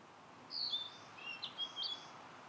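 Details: In satoyama countryside a wild Blue-and-white flycatcher sings a short, fainter phrase of a few high whistles, some long and level, one dipping lower, over soft background hiss.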